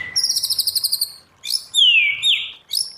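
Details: Forest-voice song of a white-rumped shama for training: a fast high trill of about ten notes, a pause, then a long clear whistle sliding downward and a short closing note.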